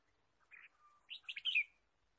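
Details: Red-whiskered bulbul chirping in a forest during bird trapping, 23 March 2017; a brief chirp, then a quick cluster of sharp, bright twittering notes over about half a second, in a quiet setting.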